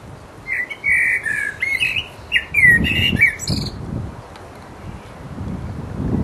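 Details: Resident blackbird in full voice giving its mating song: a long flowing sequence of mellow whistled notes, each tipped with squeaky high chatter, then fading to quiet low background noise.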